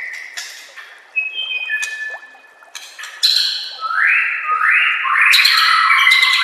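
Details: Master song of a white-rumped shama for training caged birds. Sparse clear whistles and scratchy notes build into a loud run of repeated upward-swooping fluty phrases.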